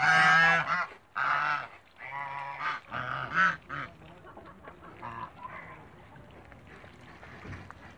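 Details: Two African geese kept in a backyard honk loudly in four or five strong nasal blasts over the first three seconds, then fade into softer, scattered calls and background murmuring.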